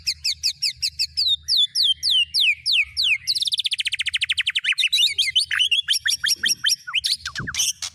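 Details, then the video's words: Training song for a white-rumped shama, with fill-ins of cililin, canary and lovebird: repeated high downslurred whistles give way to a dense rattling trill, then varied quick chirps and twittering notes. "Burung Murai Batu MU KURANG GACOR., BONGkar Isian speed cililin, kenari, love bird Dll..!"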